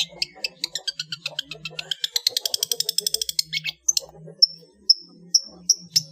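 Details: Long-tailed shrike song for training cage birds: fast stuttering trills that quicken into a dense rattling series, then a string of sharp, separate whistled notes, over a faint low hum.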